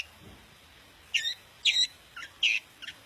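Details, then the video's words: Long-tailed shrike of the daput type, singing to stir other shrikes into active, agitated song: four harsh, buzzy bursts with broad overtones spread over about two seconds, separated by short pauses, plus two fainter notes, against quiet background hiss. "Cendet Manapun bakal GACOR dan EMOSI dengan kicau Cendet Daput Ini"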